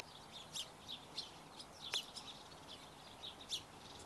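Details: Barn swallow chicks calling as they are fed, heard faintly over a steady background hiss. Short, high, thin chirps come in scattered bursts, with one sharper click near the middle.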